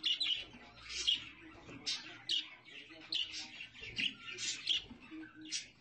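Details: Budgerigars kept with chicks give short, sharp, high chirps in loose irregular bursts, roughly one a second, over a quiet background of softer twittering.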